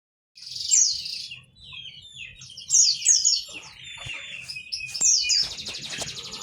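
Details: White-eye song meant to prompt lazy or silent white-eyes into singing: bursts of high, rapid twittering with sharp descending slurs, pausing briefly between phrases, over a faint low rumble.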